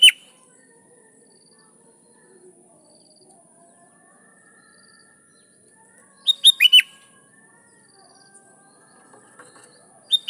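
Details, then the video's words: Sooty-headed bulbul calling rivals with lively song to draw wild bulbuls in; a note at the start, one full four-note whistled phrase midway, and another note at the very end, quiet in between. "Suara Burung Kutilang Gacor Memanggil Lawan || Kutilang liar nyaut dan GACOR"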